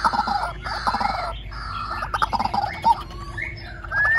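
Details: White-breasted waterhen, used as a lure call for trapping, giving loud, harsh croaking notes in quick repeated bursts, with some rising, nasal sweeps mixed in.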